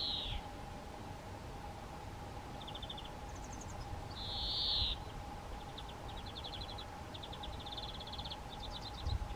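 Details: A male European greenfinch singing in Broadcroft Quarry Lane, Portland, gives short bursts of rapid twittering trills around one long, drawn-out nasal wheeze, over a steady droning hum and faint background noise.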